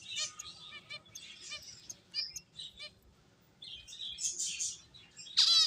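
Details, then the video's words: Finches playing, giving a busy chatter of short high chirps and trills, with bursts and pauses and a loud rising-falling call at the end. "Cute Birds Chirping Sounds | Beautiful Finches Playing"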